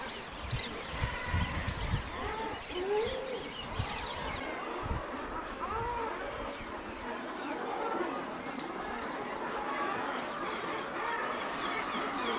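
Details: In Orkney, a dense chorus of overlapping common guillemots gives harsh, growling and moaning calls that rise and fall, over a steady low rumble of wind or surf.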